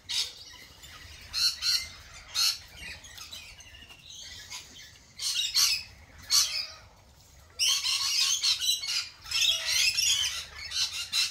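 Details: Lorikeets giving shrill, harsh screeching bursts, short and separated by quiet gaps at first, then a dense unbroken chatter of overlapping high squawks in the second half.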